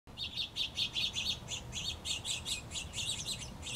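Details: Two House Finch (Haemorhous mexicanus) chicks, on their last day in the nest before fledging, beg with rapid, high, raspy chirps, about four per second, in a steady urgent chorus while being fed by both parents, over a low background hum.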